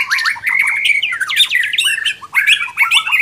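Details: White-rumped shama singing in an online bird singing contest: loud, rich, fast-changing song of sliding whistles, chirps and rapid trills, phrases run together almost without pause, with brief gaps near the middle.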